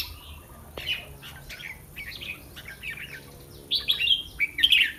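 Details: Red-whiskered bulbul singing on a day of practice before a song contest: short bright warbled phrases in bursts, quiet at first then louder, richer phrases in the last second and a half, with faint clicks and a steady high background hiss.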